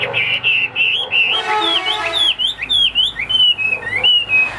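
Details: Caged Chinese hwamei singing a string of loud, clear whistled phrases, the notes sweeping up and down and sliding between pitches, over a steady background hum.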